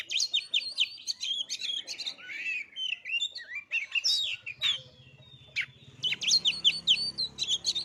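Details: Rapid, varied white-rumped shama song meant to provoke birds into singing, full of whistles, chattering trills and slurred notes, with a short lull around the middle filled by a low buzz before the song bursts out again.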